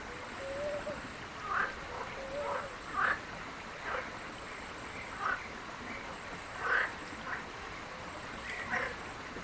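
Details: European bee-eaters in the wild in Palestine: short, rolling, burry calls at mid pitch, given irregularly every one to two seconds at moderate distance, with a faint low hum and a soft tonal drone in the background.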